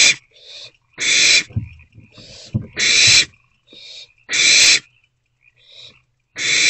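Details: Three owlets staying in their nest box during the early hours of 13 April 2024; harsh, breathy hissing bursts roughly every one and a half seconds, with softer rasping and shuffling between them.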